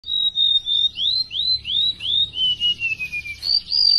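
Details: Golden-bellied gerygone, described as very vocal and tame, singing a run of high, thin whistled notes that slide downward, then a lower drawn-out descending trill and rising whistles at the end, with a faint low hum beneath.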